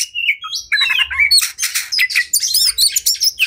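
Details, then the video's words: Agitated, fighting oriental magpie-robin in full song, meant to provoke others into fanning their tails; quick mix of clear whistles, scratchy buzzing notes and fast rhythmic chatter delivered almost without pause. "Kacer Gacor Tarung Emosi Tinggi! Buat Kacer Lain Langsung Ikut Emosi Auto Buka Ekor"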